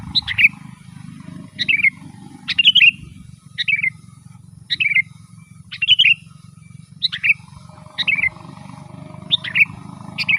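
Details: Sooty-headed bulbul in full 'gacor' song used to lure wild birds and as a tutor for kept birds: about ten short bouncy whistled phrases, one roughly every second, with a steady low hum throughout.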